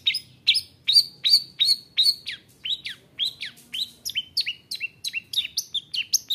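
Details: Long-tailed shrike song meant to goad other shrikes into singing: a steady series of sharp high notes, each with a falling tail, quickening toward the end.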